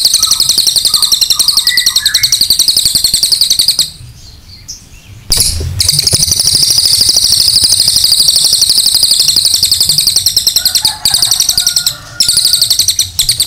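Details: Cililin singing a long 'nembak panjang' song for training other birds: a continuous, shrill, buzzy trill of rapid pulses, broken once by a short pause, with lower whistled notes heard early and late.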